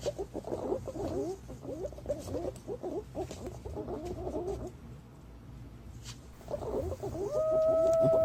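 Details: Green pigeons recorded as a lure: rapid, low, chattering notes in two bursts separated by a quiet gap, ending with a clear, steady whistled tone held for about a second.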